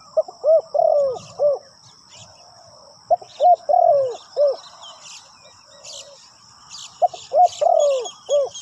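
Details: Spotted dove used as a ground decoy to lure wild birds: three bursts of low, mellow cooing phrases, each of short clipped notes ending in a longer, drawn-out falling croon. Faint chirps from other birds and a steady high whine sit behind.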